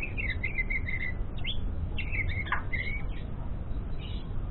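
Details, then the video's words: Juvenile white-rumped shama practising song in the morning: chattering phrases of buzzy chirps and short whistles in quick bursts with brief pauses, over a steady low background drone. "Burung Murai Medan Belajar Bernyanyi(Murai Medan Learning Singing Bird)"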